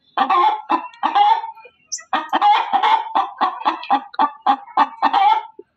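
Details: Loud hen cackle: a short opening volley, a pause, then a steady string of hoarse, evenly spaced clucks that slowly fade.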